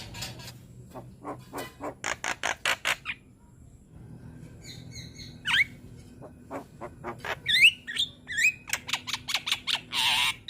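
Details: Young Javan myna in full song, bobbing its head, recorded as a tutor for other mynas to copy: long runs of dry rapid clicks, a brief pause, then twisting whistles and more rattling notes.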